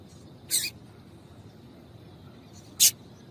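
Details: Calls of a female double-collared seedeater meant to excite males into song: two short, harsh, very high chips about two seconds apart against a quiet background hum.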